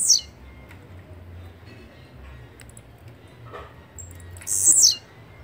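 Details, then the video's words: Blue-black grassquit singing a brief, sharp, high buzz with a falling tail. One phrase is cut off at the opening and a full one comes near the end, with quiet low hum between. "Canto de Chirrio (Volatinia jacarina)"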